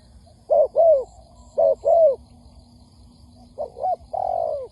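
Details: Spotted dove lure recording used for trapping, meant to provoke birds quickly. Low, hollow cooing phrases of two swelling notes, repeated about every second and a half, with a longer descending coo at the end. Faint background hum.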